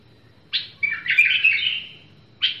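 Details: Bulbul singing: a short sharp note, then a loud, clear whistled warbling phrase lasting about a second, followed by another sharp note, in a quiet setting with a faint low hum.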